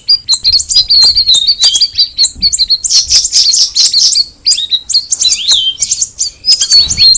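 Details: Long, lively cucak rawis (Straw-headed Bulbul) song: rapid high chirps and sweeping slurred whistles pour out almost without pause, with thick bursts of jumbled notes and a clear falling whistle near the end.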